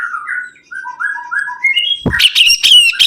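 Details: Sibuntung bird singing actively: a run of clear whistled notes stepping upward, then loud harsh, buzzy bursts mixed with sharp high chips.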